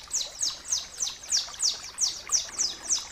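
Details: Bar-winged prinia song for tutoring other birds: bright high-pitched whistles dropping sharply in pitch, repeated evenly about three times per second.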